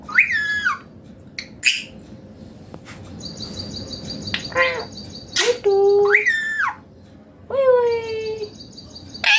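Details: Indian green ringneck parrot talking in natural voice, several harmonic-rich phrases with falling and arching contours separated by short pauses, a steady high pulsed chirping running in the background.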